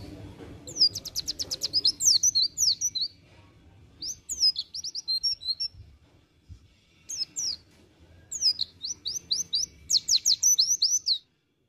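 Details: White-eye of the type known locally as pleci dakun, singing in the ngriwik style: three bursts of very high, rapid, chattering notes, quickly repeated and sliding, separated by short pauses, with a faint low background rumble.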